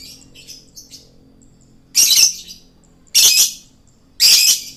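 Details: Male lovebird singing as a bird-luring recording: faint high twitters give way to three loud, harsh, screechy squawks about a second apart.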